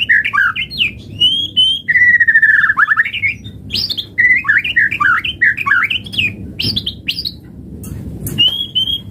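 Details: White-rumped shama pouring out varied lure song: quick chattering phrases, a long slurred descending trill, then fast jumbled warbles and sustained high whistles, over low background rumble.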